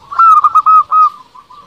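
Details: Singing local Zebra Dove, played to draw answers from rival doves: a tight run of four or five full, mid-pitched coos, slightly falling, fading into faint low murmurs.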